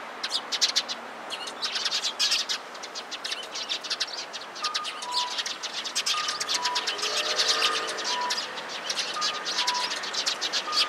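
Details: A flock of sparrows gathering around, 16 February 2017, calling in alarm: a thick chatter of harsh chirps that swells midway, while short, even beeps sound repeatedly at a lower pitch.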